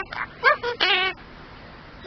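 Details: Talking pet superb parrot, a male, copying human words such as hello and what are you doing; several nasal voice-like syllables with rich harmonics, the last drawn out for about a third of a second, then quiet.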